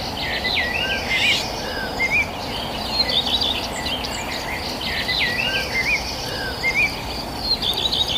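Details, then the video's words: Countryside birds near a village give a series of quick wavering whistled chirps, some rising and some trilled, every second or so, over a constant high insect-like buzz and broad background noise. "the sound of birds chirping"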